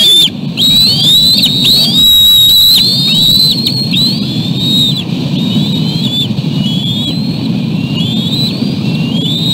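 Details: Bald eaglets at the West End nest swarming the adult male as he tries to land with a small fish; high, thin whistled calls with rising and falling slurs, repeated rapidly and overlapping, over a steady low rumble of wind or surf.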